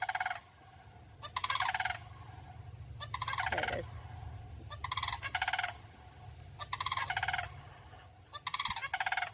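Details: A pair of sandhill cranes in Michigan, standing apart in a pasture and field, calling loudly to each other. Loud rolling rattled bugles come in bursts about every two seconds, over a steady high-pitched hiss.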